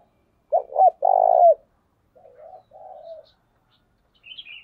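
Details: Decoy spotted dove with a thổ đồng voice calling in the thúc bổi style: a loud phrase of short notes and a long buzzy coo, followed by a quieter, distant-sounding coo phrase and a faint high chirp.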